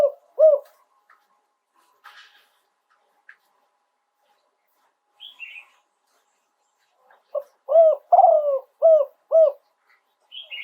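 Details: Spotted dove singing live, 'yon 2 kuk' phrasing: two coos at the start, a long quiet stretch with stray chirps, then a clear run of five hooked, hollow coos near the end.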